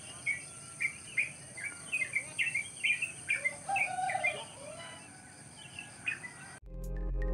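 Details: Morning in the rice fields near a village house: wild birds repeat brisk, high chirps and short slurred notes for several seconds, with a lower call partway through, before the sound cuts abruptly to a low rumble.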